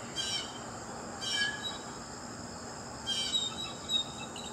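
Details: Three harsh, buzzy Blue jay calls in loose succession, each a brief rasping burst, over a steady high insect hum.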